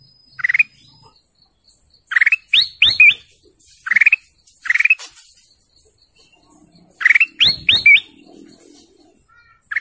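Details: Golden canary chirping in spaced bouts roughly every few seconds, each a fast buzzy trill or quick rising whistled notes, sometimes three or four in a row, quiet between bouts.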